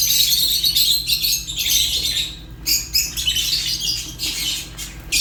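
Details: Continuous shrill chattering of Fischer's lovebird, dense high squeaky chirps with a brief dip around the middle, over a low steady hum.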